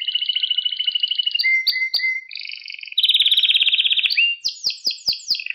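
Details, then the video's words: Canary song used to train young canaries: a long rapid trill, short chirps, a loud fast rolling tour, then a string of descending sweeps. "Süper Kanarya Sesi | Orjinal Kanarya Sesi İle Kuşunuzun Ötüş Eğitimi"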